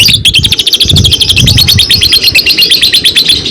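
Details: Fighter-type lovebird, caged, in a long unbroken chattering trill: fast, buzzy, high notes repeated steadily throughout, layered over a low background rumble.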